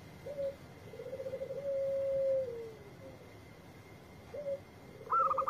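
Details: Local zebra dove (perkutut) singing. A brief low note precedes a long, even, low coo that drops at its end. The song restarts with a burst of higher stuttered notes. Steady faint hum in the background.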